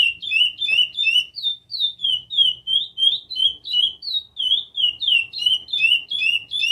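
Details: Chestnut-bellied seed finch singing a rapid run of clear, falling whistled notes, about three per second, with a brief click near the start and faint low-frequency background noise.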